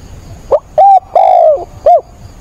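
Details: Rainstorm on 28 October, a caged decoy spotted dove giving one complete coo phrase: soft short lead note, steady hoot, long smooth coo drifting lower, and a rounded final note, with low background hiss.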